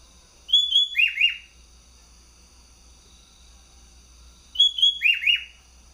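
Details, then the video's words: Sooty-headed bulbul kept as a competition bird in Bogor, giving two bursts of full song: clear whistled notes followed by quick slurred, falling phrases, the burst repeated after about four seconds of quiet. "Burung kutilang full gacor juara baru"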